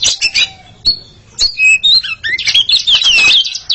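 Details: Two Oriental magpie-robins in a singing duel: scratchy chips, then clear slurred whistles rising and falling, ending in a dense, loud run of warbled and buzzy notes.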